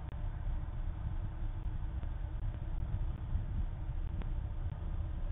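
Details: Steady low traffic rumble with a few faint clicks and no animal calls.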